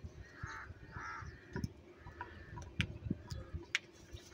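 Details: Crows feeding on cheese and fighting for food give two hoarse caws in quick succession at the start, then sharp clicks and taps against a low background murmur.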